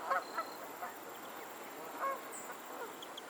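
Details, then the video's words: Geese on a lake in Pennsylvania give short, nasal, harmonic honks in irregular bursts, about five in three seconds. Some seem to come from several birds. A faint high chirp sounds near the end over a soft background hiss. "the sound of geese on a lake in Pennsylvania"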